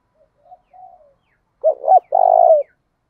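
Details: Spotted dove kept as a lure, in 'thổ đồng' voice, cooing to provoke a fight. Faint, soft notes come first, then two short, bent coos and a sustained, buzzy coo that tapers downward. The surroundings are otherwise silent.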